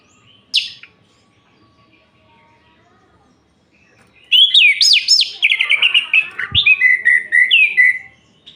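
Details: Orange-headed thrush night song meant to provoke other males, a lone sharp note, a long pause, then a loud rapid run of rising and falling whistled notes with buzzy trills.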